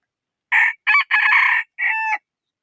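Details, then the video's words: Rooster crowing: four loud, harsh parts, two short opening bursts, a long rasping middle note, then a steadier, drawn-out tonal ending, against a silent background. "Suab qaib qua"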